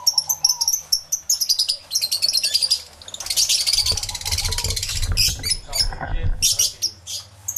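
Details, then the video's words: Crowded aviary of lovebirds, stereo microphone recording: piercing rapid chirps and trills, swelling into a loud, noisy burst of chatter with some low rumbling underneath, then scattered squeaks. "1 Hour Lovebird Sounds Aviary Series V1"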